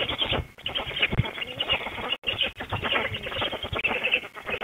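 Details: Black stork chicks at a nest in Łódź, Poland, on 23 June 2021, being fed frogs by a parent, giving continuous hoarse, wheezy chattering calls in overlapping bursts.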